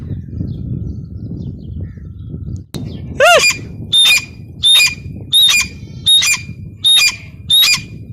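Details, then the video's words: After a quiet start and a sharp click, a female grey francolin (teetar) gives one rising whistled note, then loud shrill squawks repeated evenly about every 0.7 seconds against a low hum. "Teetar ki awaz | gray francolin teetar sound | female teetar voice"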